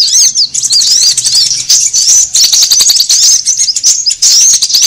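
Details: Sunbird calls played as a lure to attract and gather birds, a thick stream of fast, high, twittering notes with looping up-and-down inflections, overlapping without a break, and a faint low hum near the start.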